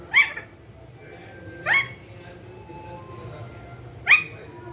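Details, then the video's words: Pet green ringneck parakeet giving three short, shrill, rising squeaks, spaced about two seconds apart, with faint whistled tones between them in a quiet room. "Parrot sound talking | Parrot bolne wala totha cute"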